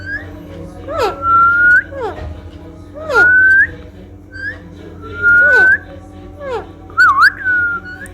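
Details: A pet parrot being cuddled gives four clear rising whistles about two seconds apart, each mixed with short speech-like syllables. A steady low hum runs underneath.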